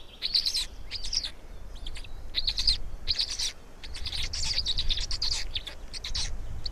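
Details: Feeding scene of black storks in Estonia, 16 May 2019 at 16:58: dense, excited high chirping in rapid bursts nearly without break, accompanied by steady low rumbling noise.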